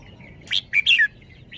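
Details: Brief phrase from a caged red-whiskered bulbul: a few sharp, clear chirped whistles in quick succession, backed by low-pitched background noise.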